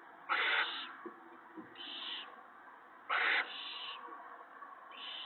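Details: Owls at a nest on March 19, 2017, at evening feeding time as the male arrives with a mouse or rabbit for his mate and young. Four hoarse hissing bursts alternating loud and softer over faint background noise.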